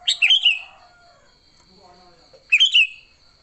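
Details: Sooty-headed bulbul in an agitated fighting song, used to lure bulbuls: two bubbly whistled phrases of tumbling slurred notes about two and a half seconds apart, with a faint low warble and steady high hum between.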